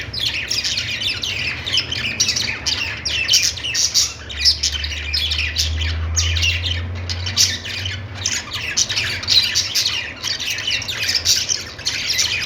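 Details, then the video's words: Flock of budgies chattering nonstop, rapid scratchy warbles and sharp tweets layered densely, with a louder low hum swelling in the middle. "Budgies singing |budgies sounds | parakeet chirping sounds"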